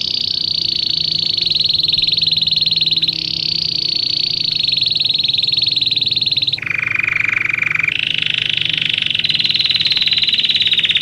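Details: Belgian canary singing, recorded for training young canaries. Long, dense, high buzzing rolls hold steady, shift slightly upward, drop to a lower rolling tour, then climb back to the high trill.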